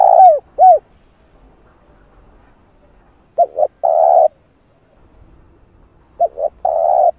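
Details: Spotted dove calling to lure and train a decoy bird: two falling arched hoots, then two phrases of paired short notes each followed by a long steady mellow coo, spaced about three seconds apart.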